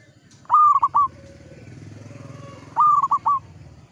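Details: Local zebra dove singing energetically in the Mataram 'ngepat' rhythm, giving two clipped cooing phrases of about three notes each, roughly two seconds apart, with a soft low hum and quieter hoots beneath.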